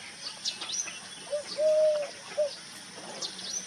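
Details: Wild dove cooing, recorded in 2023: three clear, steady, mid-pitched hooting notes, short then long then short, with faint high chirps from other birds in the background.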